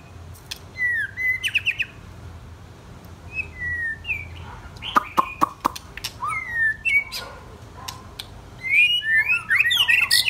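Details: White-rumped shama, one of two young birds of 10 and 12 months compared, singing sparse clear whistled notes and sharp clicks, spaced out at first, then building to a dense, fast run of tumbling whistles at the end.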